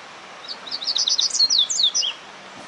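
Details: A Rusty-collared seedeater, warming up, delivers a quick two-second phrase of rapid, high, chirpy notes, some downslurred, over a soft background hiss.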